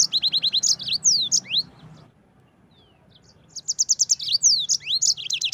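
Yellow-fronted canary singing fast, bright phrases of rapid high trills and sweeping slurred notes, pausing briefly midway before resuming; a low background hum runs beneath.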